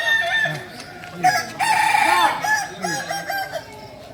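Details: Kukuak Balenggek chicken, a singer breed from Solok, training for crowing performance. A brief loud crow burst in the middle, surrounded by soft, repeated clucks and scattered calls from other fowl.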